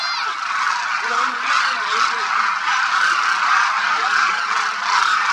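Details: Wintering Demoiselle Cranes at Khichan Bird Sanctuary, Rajasthan, thousands strong: a continuous honking din with several clearer, lower rising and falling calls standing out from the crowd.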